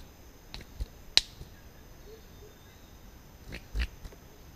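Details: Male orange-collared manakin at a lek in Bosque del Rio Tigre, 18 February 2014, producing sharp, isolated snapping clicks, one loud snap near the start among several fainter ones, over a steady forest background hiss.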